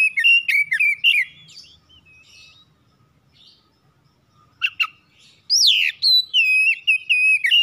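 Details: Home-kept oriental magpie-robin singing to prompt other birds to sing: rapid bursts of sweet whistles and sharp upslurred chirps, a quiet gap of several seconds, then a loud rising note and a fresh run of varied whistled phrases.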